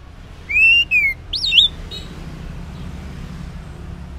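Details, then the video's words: Orange-headed thrush giving ngeplong song in the morning as a lure to make silent males respond: two long, smooth whistles, the second falling, then a looping twisted whistle, followed by quiet background. "Cocok Buat Pancingan ANIS MERAH Ngeplong di Waktu Pagi Hari Yang Macet yang Bisu Kalo Jantan Nyaut.."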